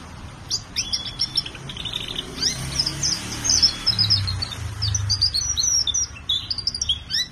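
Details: Colour canary singing: bright high chirps, short trills and twittering notes in rapid uneven bursts, steady for about seven seconds over a low background rumble.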